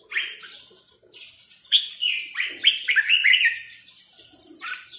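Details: Caged red-whiskered bulbul song: dense run of cheerful, liquid, warbled notes with quick pitch jumps, continuing for several seconds, with a few faint clicks behind.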